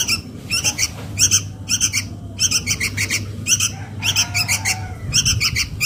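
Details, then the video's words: Sooty-headed bulbul young begging for its mother, used as lure audio: harsh buzzy notes in pairs and triplets, repeated unevenly, over a continuous low hum. "SUARA PIKAT // ANAK KUTILANG MEMANGGIL INDUKNYA"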